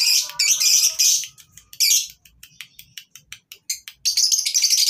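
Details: Lovebirds at a lovebird breeding farm, recorded as tutoring material for other birds; dense, shrill, high chattering and rapid squeaky chirps in bursts, with a stretch of fast clipped notes between louder passages.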